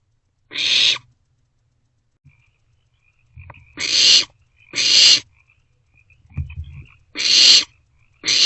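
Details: Barn owlets in a nest box in the small hours of 27 March 2024, sharing a vole; five rasping screech-hisses, with low scuffling and faint thin notes between them.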